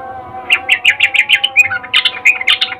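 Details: Ngecuplik-style call of a female sooty-headed bulbul calling a male: a quick, regular series of short chirps, a brief slurred phrase, then more bright twittering notes over a steady low hum.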